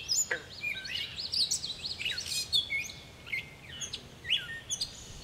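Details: Catbird song recorded on 10 July: a jumbled, continuous stream of varied squeaky warbles, slurred whistles and short chirps at high pitch, over a soft background hiss.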